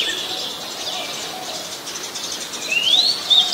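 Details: Oriental magpie-robin from Ubon Ratchathani, Thailand, 21 January 2021: quiet high background notes, then a bright rising whistle followed by a short high note at the close.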